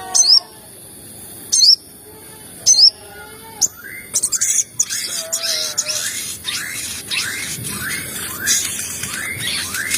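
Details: Sogon lure recording meant to provoke other sogon birds into calling fast: sharp high rising chirps, one every second or so, give way to busier overlapping twittering.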